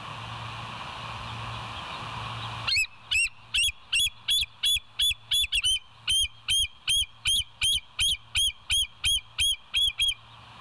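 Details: Bald eagle filmed by a live nest cam at West End on 29 August 2023 around seven in the morning; a long rhythmic string of high, squeaky piping notes, about three per second, after a quiet start.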